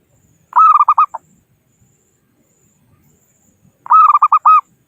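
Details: Wild local zebra dove calling to rivals, recorded as a trapping lure: two matching bursts of six to seven quick, clear cooing notes about three seconds apart, faint background sounds between them.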